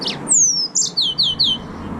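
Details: Yellow-fronted canary (green singing finch) gives a long falling whistle, then a short burst and three evenly spaced descending slurred notes, high and clear over a faint low hum.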